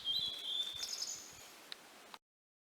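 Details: Blue-and-white flycatcher song fragment: a clear high whistle that steps slightly lower, then thin higher notes, fading into quiet outdoor background before abruptly cutting to silence.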